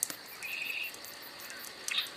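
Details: Red-winged blackbird in the Delaware tri-state region in February, as males begin claiming breeding territories, giving a half-second buzzy, level trill ending in a sharp high note, with a faint click at the start and light hiss.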